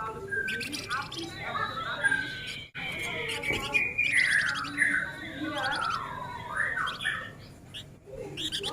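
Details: Male flamboyan singing rapidly in a dense, chattering stream: quick overlapping chirps, buzzy trills and short rising and falling whistles with hardly a pause, with a brief break near the third second.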